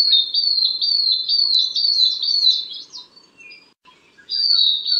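Long-tailed Broadbill giving a run of high, shrill whistled notes in quick succession. They break off for about a second, then start again, over faint background chirps.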